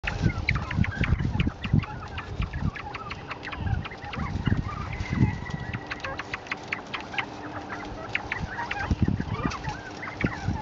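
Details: Captive northern bobwhites "talk" in a busy stream of short, soft clucks and chips while being given chickweed, which they love, with low thumps and bumping noises throughout.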